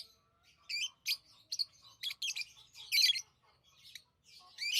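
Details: Busy lovebird chirping: a steady stream of sharp, shrill, rasping chirps in quick irregular succession, with barely a pause.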